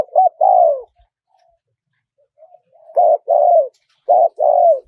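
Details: Small-voiced spotted dove in wild-style calling, played to attract wild birds quickly: two-part phrases of a short coo and a longer descending croo, repeated after a pause, with quiet murmured notes between.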